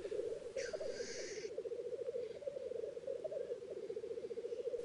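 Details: Black grouse (Lyrurus tetrix) bubble at a lek an hour before sunrise, with males chasing for central spots and females present: a continuous, dove-like rolling coo, throbbing rapidly and unbroken, with a brief hissing rasp near the start.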